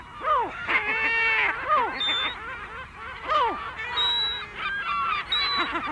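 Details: Adult lesser black-backed gull with chicks giving loud, harsh, arched, nasal 'kow' alarm calls, repeated roughly every second, with thin high peeps from other birds.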